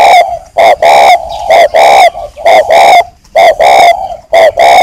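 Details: Breeding male spotted dove kept as a caged decoy in northern Vietnam, cooing after a prompt: loud, harmonic, mid-pitched coos mostly in close pairs, about eleven notes in quick irregular succession, short gaps between.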